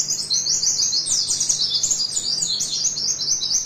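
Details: Oriental white-eye; tutor song; tutor song for training captive birds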